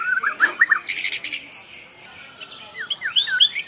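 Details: White-rumped shama song used as a lure to make other birds sing: short whistled notes near the start, then buzzy rapid trills and scattered rising and falling whistles.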